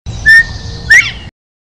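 Northern bobwhite giving two clear whistles: a level first note, then a second note half a second later that slurs upward. The background is quiet with a low rumble.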